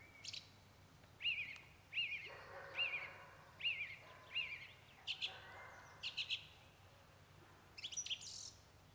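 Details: Eurasian jay (Garrulus glandarius), 16 March 2024 in the Drava valley fishponds: a run of clear, arched whistled notes about once a second, then short harsh, rasping screeches in quick bursts.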